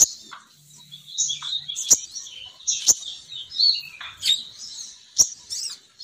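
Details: Female sogon bird call used as a lure to draw males down: high thin chirps and twittering trills, with sharp clicking ticks roughly every second and faint low hum underneath.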